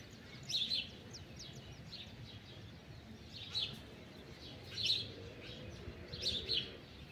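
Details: Free-flying wild blue-winged macaws at a pitanga tree, giving short harsh screechy bursts at a distance, repeated about every one to one and a half seconds, with steady background hiss and a man speaking softly nearby.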